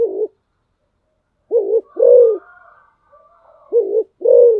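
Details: Decoy spotted dove cooing low, mellow two-note phrases, a brief note then a drawn-out throaty one, with a thin background whistle in a pause.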